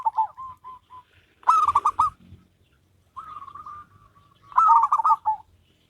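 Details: Duet of a local and a crossbred zebra dove: soft evenly spaced coos, then a loud rapid rolling phrase, a quieter run of notes, and a final loud burst.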